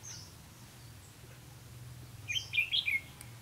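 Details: Red-whiskered bulbul kept as a trapping lure, 4 November 2016: a single quick bubbly phrase of three or four chirped notes after a thin high whistle, over a steady low hum.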